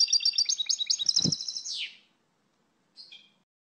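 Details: Short European goldfinch song phrase: quick repeated chirps running into a buzzy descending note, a soft low thump partway through, then a brief pause and one sharp call.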